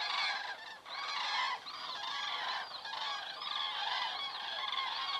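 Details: Common cranes flying over an Estonian crane webcam at 19:26 on 27 September 2017; bright, ringing, arched calls come roughly once a second from several birds, overlapping into a continuous clamour.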